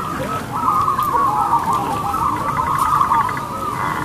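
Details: Loud, long-voiced crossbred zebra dove used as a lure bird: a sustained band of rolling coos, with a quick staccato series of clipped notes near the end and light background noise.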